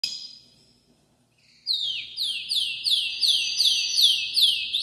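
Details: A Belgian-Spanish canary singing intensely and loudly: a bright, metallic series of rapid descending trills, almost three a second, after a brief quiet start.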